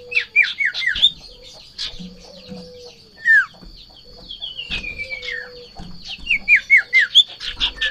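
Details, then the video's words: A sirtu in high breeding excitement, hopping about as it sees a rival or female, delivers rapid bursts of sharp, high whistled notes and chatters, some sliding downward, about two per second, over a steady faint hum. "Sirtu Ngamuk Narung !! Garuda Birahi Over"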